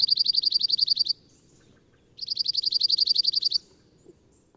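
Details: Male Cirl bunting song, a flat, dry trill likened to lesser whitethroat: two trills of rapid identical notes on one high pitch, each about a second, with faint low background hum; a farmland breeding bird in Britain.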